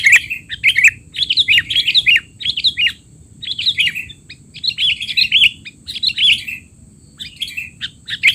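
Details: Sooty-headed bulbul noisy chattering used as a tutor recording for young bulbuls: busy bursts of sharp, bubbly chirps and squeaky notes in quick clusters with short gaps, over a steady faint high hum and low background rumble.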